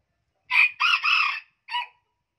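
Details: Hybrid junglefowl from Vietnam's Central region and Central Highlands, said to have the highest-pitched crow there, gives a high, strained crow: a short opening note, two drawn-out notes, a brief pause, then a clipped final note.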